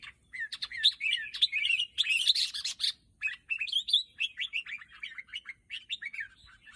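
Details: Red-whiskered bulbul pouring out a fast sequence of sweet chirps and short slurred whistles, dense at first, then thinning into separate notes.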